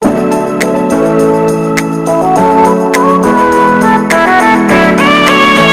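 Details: Electronic organ music with sustained chords, shifting melodic notes and regular percussive accents; no animal voice is heard.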